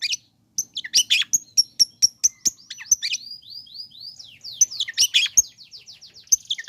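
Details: Long-tailed shrike played to provoke other shrikes into calling: busy run of harsh chattering notes interwoven with high whistles, clicks and a sequence of descending slurred whistles.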